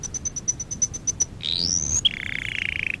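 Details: Canary song used as a lesson for young canaries: a string of about a dozen thin high ticking notes, a rising buzzy glide, then a fast lower rolling trill.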